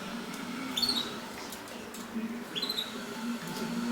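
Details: Mosaic canaries mating: a pair of short, sliding high chirps about one and a half seconds apart, over a low steady hum indoors.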